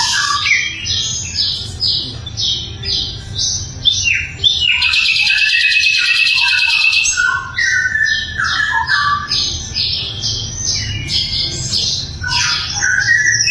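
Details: Sikatan londo flycatcher singing loudly in a training recording for songbirds. A long, rich sequence of short, varied whistled and chattering phrases, about two each second, includes a buzzy rattling stretch midway.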